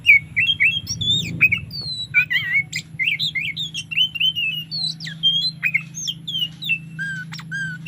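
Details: Afternoon song of an Oriental magpie-robin in relaxed loud variation: long chain of warbled whistles, squeaky twists and harsh notes, closing with two descending whistles, above a constant low hum.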